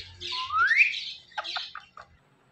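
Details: Indian ringneck parrot giving a smooth whistle that sweeps steeply upward. A few short, clipped syllables follow, then the bird falls silent.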